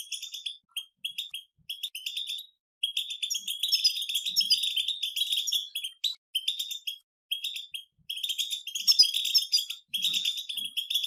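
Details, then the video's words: European goldfinches chattering together in a collective batbata song. Quick, high, jingling chirps come in short clusters early on, then swell into sustained, dense twittering with occasional pauses. "بتبتة جماعية من الطبيعة سوف يفقد عقله الحسون دواء لي صمت الحسون"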